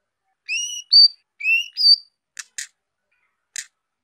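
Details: Young female White-rumped shama singing to stimulate males: two pairs of clear, upward-sliding whistles, then three short dry, scratchy clicks.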